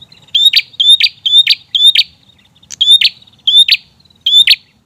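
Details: ['Persistent loud prinia song used to provoke other birds: rapid run of four whistle-and-rasp phrases, a short pause, then three more, each ending in a crackling burst.']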